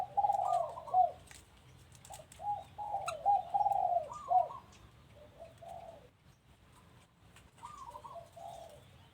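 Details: Dove at a home delivering a bubbling run of quick coos that trails off, followed after silence by a softer, shorter cooing phrase.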